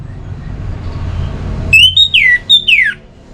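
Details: Orange-headed thrush song intended to provoke singing: four clear whistled notes, a rising one, a level one, then two long downward slides, ringing over a soft low-pitched background drone.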